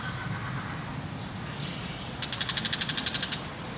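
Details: Bull-headed shrike with a mantis held in its beak, looking around as it calls; one short burst of about fourteen rapid, harsh, evenly spaced chattering notes, preceded by quiet background and faint other chirps.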